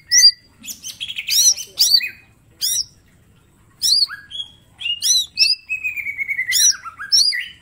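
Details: Mini green leafbird master song showing its full repertoire: clusters of sharp high curling chirps, a short silence, then varied whistles and a long descending warbled run near the end.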